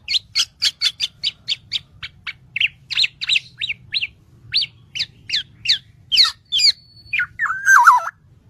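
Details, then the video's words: Black-naped oriole song used to tutor birds: a fast train of sharp chips slowing into spaced sweeping notes, ending in a wavering, lower whistled phrase. "MASTERAN BURUNG KEPODANG"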